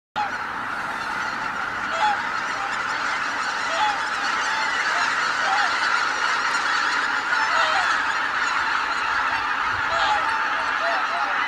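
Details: Flock of greater white-fronted geese at Kabukuri-numa, Japan, on 12 January 2019, taking off together: a dense, continuous roar of overlapping honking and yelping calls, with occasional clearer single calls rising above the din.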